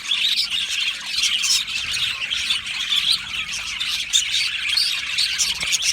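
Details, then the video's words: Aviary colony of Australian budgerigars chirping and singing: busy overlapping chatter of bright, buzzy warbles and brief squawky notes from many birds, continuous throughout. "Budgie colony sounds | Budgie singing and chirping sounds"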